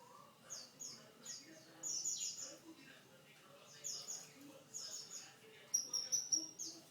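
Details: Canary with what is described as a unique song: quiet bursts of high, bright trilled notes, sharp repeated chips and rolling phrases with brief pauses between phrases, ending in a thin, sustained high whistle.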